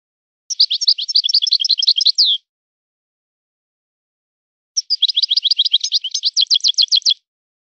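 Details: European goldfinch, called a son of the forest, sings in a breeder's line style: two long phrases of fast, high, tinkling notes, the second closing with evenly spaced sharp chips, separated by a two-second pause.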